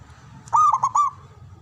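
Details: Javanese local zebra dove with a loud, long-breathed voice, played to provoke breeding and fighting spirit in other doves. It gives a single rapid, stuttering coo of about four bubbling notes, with a faint low rumble behind.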